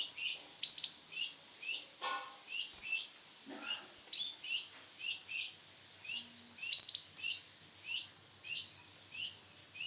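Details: Male canary of the Sunkist colour variety giving a steady series of short, high, upslurred chirps about twice a second, with a few louder, sharper notes standing out and faint knocking sounds in between.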